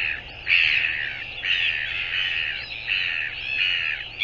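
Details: Northern royal albatross on 24 January 2022: a string of loud, harsh, moaning calls, each about a second long, nearly continuous over a low hiss.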